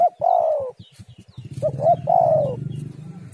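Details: Spotted dove lure call: a long falling coo, then two short coos leading into another drawn-out descending coo, over a low background rumble.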